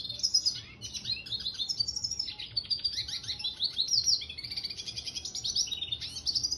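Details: A red siskin mule sings nonstop in 'gacor' style, with bright, rapid warbling, buzzy trills and short sliding whistles tumbling over one another at a very high pitch.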